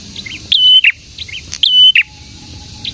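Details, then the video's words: Energetic prinia song, known as prenjak: two loud whistled phrases, each rising then flat then dropping to a rough note, surrounded by quick soft chirps and twitters. "BURUNG PRENJAK GACOR"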